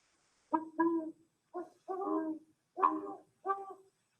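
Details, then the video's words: A played recording of a Great Horned Owl during a nighttime outing in January 2021: five deep, mellow hoots over about three seconds, the first and fourth slightly longer and stronger. "this is the owl that really makes that hooting sound the great horned owl"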